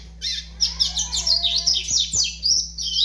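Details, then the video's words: A five-month-old young double-collared seedeater singing a continuous, high, twittering warble of fast chirps and slurred notes, with a low steady hum in the background. "FILHOTE DE COLEIRO AVAX 5 MESES DE VIDA"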